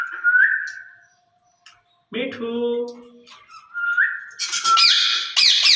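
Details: Two caged ringneck parrots talking to each other, speaking in Urdu or Hindi: a clear rising whistle, then a low buzzy voice-like phrase, then more whistles and harsh high squawks at the end.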